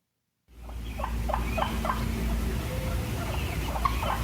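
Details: Wild turkey (Meleagris gallopavo) clucking: short, sharp, mid-pitched notes, several a second, then a scattered few, over a steady low rumble; a cluck signals contentment and communication between flock members while feeding.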